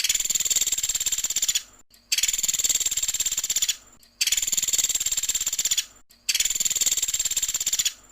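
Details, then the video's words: Pelatuk sampit woodpecker captured for songbird training: dense, high, rattling pulse trains running nearly two seconds each, broken by brief pauses, with four bursts in quick succession and no other sounds. "MASTERAN BURUNG PELATUK SAMPIT GACOR UNTUK ISIAN TEMBAKAN"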